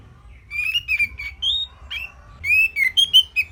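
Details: Orange-headed thrush, known locally as anis merah, giving a simple song meant as a model for other songbirds to copy: short clear whistled phrases, rising and falling, in two bursts with brief pauses between notes.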